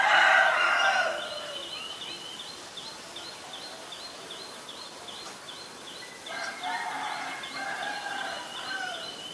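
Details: Black-collared starling recorded in Ubon Ratchathani, Thailand, on 17 April 2022: a loud, harsh, rasping burst of harmonic notes opens the recording, then a quieter chattering phrase follows after a pause, over steady, rapidly repeated high chirps from another caller.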